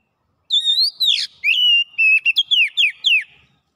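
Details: Oriental magpie-robin in rapid, busy song showing off its mimicked repertoire: a rising whistle, a harsh rasping burst, then a string of pure level whistles and downslurred flicks, roughly eight notes in three seconds.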